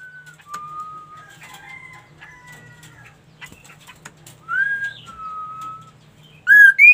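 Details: Lively ashy tailorbird song heard against faint background chirps: a level whistle, later a brief high note and a long even whistle, then loud rising notes at the close.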